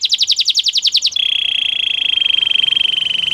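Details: Belgian canary song: a quick run of about ten sharp chirping notes, then a sustained smooth rolling trill carried steadily to the end.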